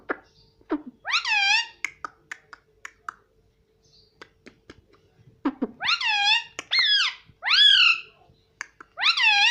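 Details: Pet green ringneck parrot indoors, presented as saying "mummy": a loud arched syllable, scattered clicks and ticks, then a run of four strong descending-then-rising harmonic calls near the end.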